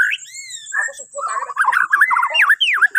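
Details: White-rumped shama from Borneo singing at morning to coax other birds: a long clear descending whistle, then a busy run of quick warbled notes and sweeping up-and-down whistles, over a faint steady high tone.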